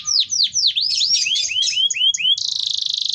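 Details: Canary song played to trigger singing in other canaries: a string of swooping downward then upward slurred notes, followed by a rapid buzzy rolling trill, over faint low noise.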